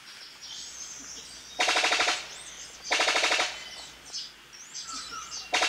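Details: Brown Sicklebill, a fruit-eating bird found only in New Guinea, gives a machine-gun-like call: three loud, rapid staccato bursts, each about half a second, with thin whistles of other birds between.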